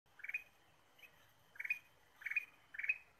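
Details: Ruby-throated bulbul lure song (kutilang emas pikat, gacor style): short bursts of bright, burry chirps, four clusters in three seconds with one faint note between, over a quiet background hiss.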